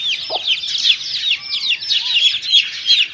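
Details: Chicks with a mother hen while eating, a rapid flurry of high, downward-curving peeps, one brief low cluck near the start.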